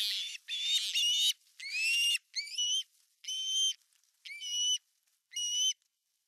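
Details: Finnish osprey nest, 18 August 2020, the male present with a giant fish: drawn-out whistled squeals, each about half a second long and rising at the start, given in six separate bursts roughly once a second.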